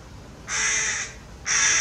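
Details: A tame hooded crow in Maalot-Tarshiha, Israel, gives two harsh, hoarse caws, each about half a second long and separated by a short pause, close to the recorder.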